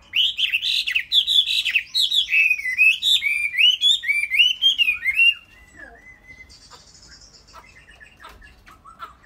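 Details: Tame Chinese hwamei pouring out a fast, loud series of whistled notes that climb and dip for about five seconds. The song then stops, leaving faint high chirps and room noise.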